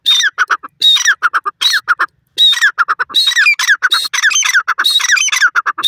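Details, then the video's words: Grey francolin, dakhni teetar, calling loudly: harsh squawking notes with a high whistled note near the start of each phrase, followed by rapid repeated clipped notes, phrases coming in quick bursts with brief pauses. "dakhni teetar awaaz,grey frahcolih voice,teetar boli"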